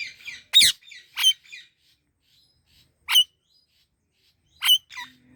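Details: Indian ringneck parakeet chirping: harsh, high, screechy squawks in short separate bursts, about six calls spread irregularly over five seconds with clean silent gaps between them and no other clear sounds.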